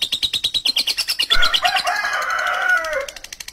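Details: Rough lovebird ngekek: a quick series of scratchy pulses gives way to a long, harsh, buzzing screech that slides slightly downward before fading.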